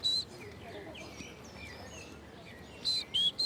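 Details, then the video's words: Short-toed treecreeper singing in a Parisian park: a brief high whistled note opens the clip, then after quiet park ambience a phrase of three clear, thin, high notes returns near the end, with faint distant birds chirping. "That's the song of the shorttoed tree creeper."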